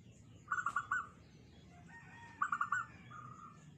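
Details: Local zebra dove with a small, tight voice gives two short rapid trilled coos about two seconds apart, each trailing into a softer tone, against steady low background noise.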